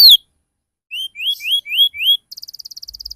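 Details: Canary lure sound for young canaries learning the ngriwik and cuit-cuit notes: a sharp downslurred note, then five rising whistled slurs, ending in a fast buzzy trill.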